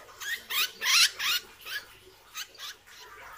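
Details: Hair-crested drongo in training, a larger relative of other drongos noted for its loud voice: rapid harsh, buzzy notes with downward slurs, about eight in three seconds, loudest in the middle and fading toward the end.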